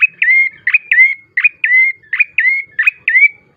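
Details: Bar-winged prinia song used as a lure to get birds singing: about nine quick phrases, each a sharp downward-sliding note followed by a clear, level whistle, repeated in rapid succession.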